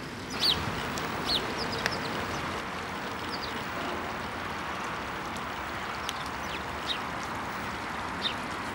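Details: Sparrows bathing in water at Pendik Millet Park give short, sharp chirps, singly and in pairs at irregular intervals, over a steady hiss of wind or distant traffic.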